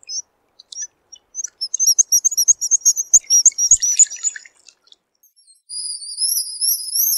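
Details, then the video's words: A Black guillemot gives a run of very high, thin squeaky notes, then two drawn-out, wavering shrill whistles, with no other sounds. "Чистик. Голоса птиц"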